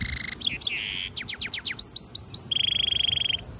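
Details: A European goldfinch mule (hybrid), used as a training or stimulation song, sings a high, fast, bright, tinkling twittering song with sweeping chirps, a dry buzzy trill and a rapid run of rising notes.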